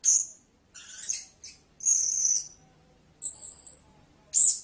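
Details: Thin, high-pitched notes from a blue-crowned hanging parrot: a sharp squeak, a raspy chatter, a longer whistled note, then two more widely spaced shrill calls.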